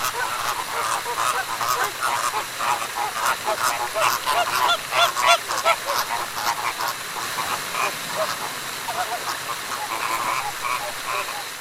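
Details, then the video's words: Loud morning cackling from flamingos: many nasal honks overlapping in a busy, irregular chorus, louder in the first half and thinning toward the end, over steady background hiss. "Guten Morgen, Flamingo!"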